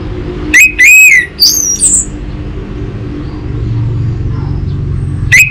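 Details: Untrained orange-headed thrush used as a lure and tutor bird for caged songbirds: a few loud, clear whistled notes near the start, a brief slurred upward note, then quiet with low background hum before one more sharp note.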